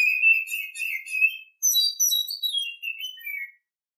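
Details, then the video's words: An Oriental Magpie-Robin sings in the morning: a steady warbling phrase, a brief pause, then a second phrase of high sweet whistles gliding downward, lasting about three and a half seconds. "Nghe chim chích chòe than hót hay mỗi sáng"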